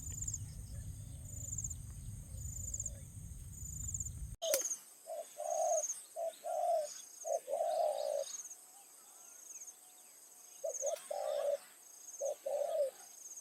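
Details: Captive spotted dove luring wild doves during an evening decoy-trapping session in Thai fields. Opens with four seconds of wind rumble, then clear repeated cooing phrases, a short note followed by a longer rolling coo. High insect whine persists.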